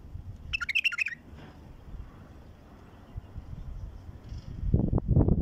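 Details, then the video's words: A wild-caught bulbul, newly singing, gives one quick, bubbly warbled phrase of a few notes near the start; low rumbling background noise follows, with a couple of knocks at the end. "تغريد بلبل"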